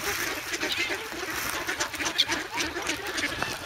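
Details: Hungry, noisy young geese in the snow in Sloterpark, Amsterdam, on February 3, pecking at a visitor with bread; coarse honks and quacking notes overlap continuously amid background noise.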